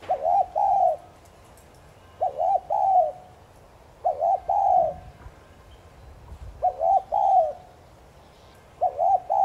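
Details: Calls of a spotted dove meant to make decoy doves coo: repeated soft, hollow phrases, a doubled short note then a lingering coo, about every two seconds, with faint low rumbling in between.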